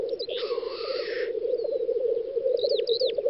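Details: Black grouse lekking on a spring field in the Volga region of western Russia, 9–10 May 2019: steady low, dove-like bubbling with one loud hissing sneeze early on, then faint whistles from other birds near the end.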